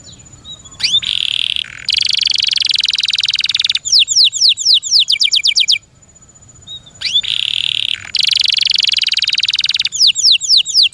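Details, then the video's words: Kept canary in loud song: upward whistle flicks, long buzzy rattling trills, and bursts of rapid repeated sweeping notes, with the pattern heard twice. "THE SOUND OF THE CANARY BIRDS"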